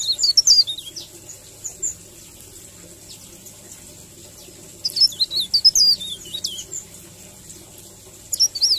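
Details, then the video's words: Leaf warbler singing a melodious 'ngerol' rolling song used as a masteran tutor recording: quick, high, twisting whistled phrases in bursts at the start, middle and end, quiet pauses between. "Suara ngerol merdu Cikrak daun || Masteran Cikrak daun"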